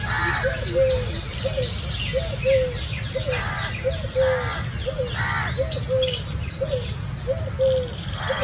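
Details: Calls from a family of Indian scops owls: short arched notes in pairs, repeating steadily about every second, partly overlapped by loud harsh cawing from crows and a low rumbling background.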